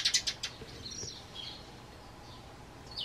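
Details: Pet Eurasian tree sparrow kept indoors, calling back in reply to its owner's whistle: a quick run of four loud, sharp high chirps at the start, then faint thin whistled tones and soft room hiss.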